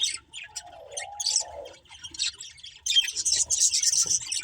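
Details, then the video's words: Budgerigars chirping: dense bursts of high, scratchy chatter and twittering notes, irregular and overlapping, with a lower warbling phrase early on and a loud continuous chattering stretch near the end. "Cute Budgies Chirping Sounds"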